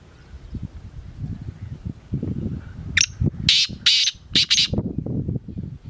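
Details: Kala teetar, or black francolin, delivers a grating call: a quick rising note followed by four coarse, buzzy blasts in rapid sequence. Steady low rumbling noise runs throughout.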